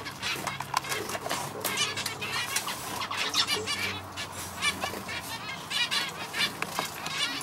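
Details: Male zebra finch, a pet bird, singing: dense bursts of buzzy, nasal high notes and rapid chattering syllables, repeated throughout with short pauses, over a steady low hum.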